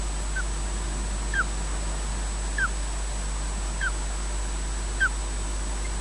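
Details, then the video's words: Osprey at its nest at Loch Garten, Scotland, during a slow nest changeover between the pair, filmed by a wildlife camera: five faint, short, downslurred whistled chirps about every 1.2 seconds over a steady low hum and background hiss. "EJ takes over from Odin, slowly, with chirps"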